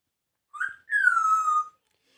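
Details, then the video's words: Grey parrot kept indoors as a pet, talking in Punjabi: a brief chirp, then a drawn-out whistled tone that slides gently downward, rich in overtones and lasting about a second, with silence around it. "gray parrot taking punjabi"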